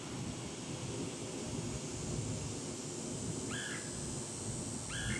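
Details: Red-headed woodpecker recorded on 21 August 2022, giving two short, harsh, slightly rising calls about a second and a half apart, rising above a steady roar of wind or rain.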